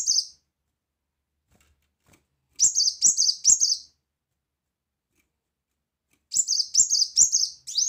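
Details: Loud 'tembakan' song of a brown-throated sunbird, used as a master recording: bursts of three to five sharp, high, clipped whistles in quick succession, divided by a few seconds of silence.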